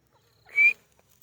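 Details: Single brief whistled call from a milk-white francolin (teetar) bred in captivity at a home in Pakistan: a bright, level-to-rising tone of about a quarter second, with near silence before and after.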